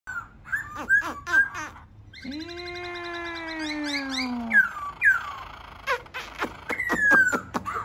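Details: Laughingthrush singing a varied phrase: quick whistled notes and slurs, then a long rich harmonic note that dips slightly, followed by short falling whistles and sharp clicks.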